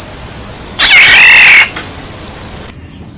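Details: Black-naped oriole, used as a decoy: one loud, drawn-out harsh call with a wavering tone lasting under a second, over a steady shrill hiss that cuts off abruptly at the end.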